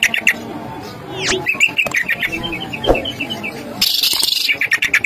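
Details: A greater green leafbird sings a fast run of bright, high chirps and a sweeping whistle, ending in a harsh burst, with faint music playing underneath.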